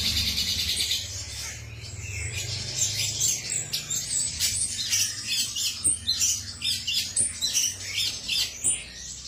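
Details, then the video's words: Male cucak cungkok singing: dense, rapid high chirps and squeaky notes tumbling together for several seconds, growing more clipped and staccato toward the end, over a faint low hum. "suara jantan burung cucak cungkok"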